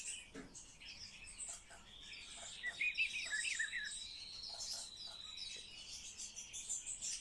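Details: Common starling being taught to talk: soft scratchy chatter builds into a short cluster of twisting whistled notes, then fades back to quiet high clicks and squeaks.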